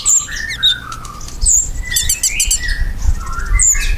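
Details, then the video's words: Ruby-cheeked sunbird song serving as a lure for pet birds to reply: thin high squeaks, falling chirps and gliding notes, with a patch of rapid dry clicks in the middle. "KOLIBRI GACOR! PANCINGAN KOLIBRI NINJA BIKIN KONIN ANDA CEPAT NYAUT"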